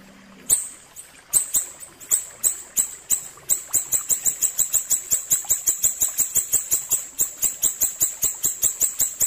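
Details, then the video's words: Ashy tailorbird song recorded for tutoring or luring birds: a few spaced, piercing high notes at first, then speeding into a steady rapid series of sharp ticks, roughly four per second. "masteran burung siri siri ampuh suara jernih"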